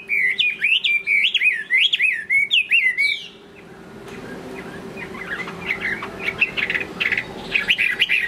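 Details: Chinese hwamei, late afternoon: about three seconds of loud, rapidly repeated swooping whistles, then quieter scattered chirps and short phrases over a low continuous hum.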